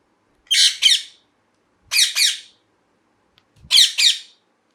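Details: A parrot gives three bursts of harsh, raspy squawking, each a rapid pair of grating screeches, spaced about one and a half seconds apart with silence between, in a quiet small room.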